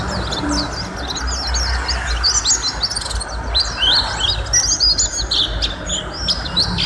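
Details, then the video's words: A long master-song recording of a vocal white-eye: a rapid, tumbling stream of thin, high chirps and twittering whistles, with a steady low rumble underneath. "Suara Masteran Burung: Pleci Gacor"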